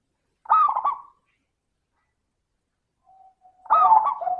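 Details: Zebra dove song used as a lure to prompt other doves to sing, clear crystal-toned voice: two bursts of bubbling, rolling coos with a faint sustained note between them.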